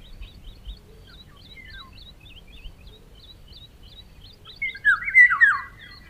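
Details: A Eurasian golden oriole (Oriolus oriolus) gives one rich, fluting, yodelling song phrase near the end, while small birds keep up faint, rapid, high chirps throughout.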